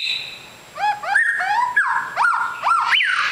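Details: Long-tailed white-rumped shama, described as a super fighter, singing a varied run of clear whistled notes that swoop up and down, with sharp rising sweeps and bright falling slurs following one another quickly over a quiet background.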